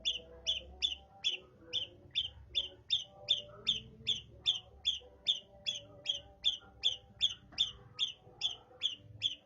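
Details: Long-tailed shrike mimicking a house sparrow, giving evenly spaced sharp chirps, roughly two and a half per second, for the whole stretch over a quiet low rumble.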